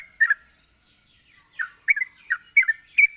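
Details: Gacor-style song of a yellow-vented bulbul, used to stir lazy bulbuls into singing: a short chirpy note pair, a pause, then four quick bubbly two-part notes, with a steady high electronic whine throughout.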